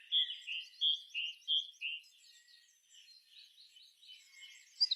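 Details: Afternoon birdsong near dusk, with soft high whistled notes repeated roughly every two-thirds of a second, then a quieter stretch of faint mixed chirps and a sharp note at the close.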